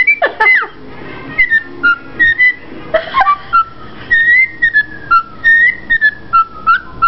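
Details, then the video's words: A female pet rosella, showing off, whistles the Andy Griffith television theme she likes: a clear, tuneful melody of pure notes stepping up and down, with a few harsher squeaks at the start. "Rosella Parakeet sings Andy Griffith theme song"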